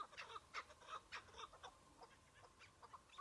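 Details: A single Chukar partridge in spring snow on a rooftop during a hunt, early in the season and not yet very aggressive but experienced, gives harsh, clucking chuk notes in uneven bursts, several per second, with a faint hiss behind.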